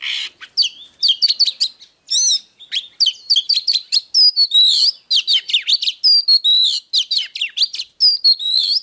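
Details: Oriental magpie-robin song used to stimulate other birds to fight: a fast, rich run of varied whistled notes, slurred rising and falling phrases and sharp chips, almost continuous, with brief pauses; no other sounds.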